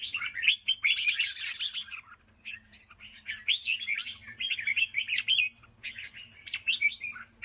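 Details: Bright, rapid chattering from a red-whiskered bulbul in 'ché' song style: a loud scratchy flurry early on, a short pause, then a string of lively slurred chirps and whistled notes.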